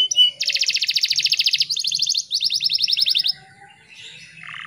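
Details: Canary singing as a morning lure for stressed or non-singing canaries, mostly long, very fast high rolling trills in three runs, fading into softer warbled notes at the end.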